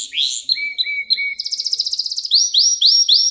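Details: Canary song intended as a lesson for young canaries: bright upslurred chirps, three low flat whistles, a quick stuttering trill, then loud rising sweeps repeated about every quarter second.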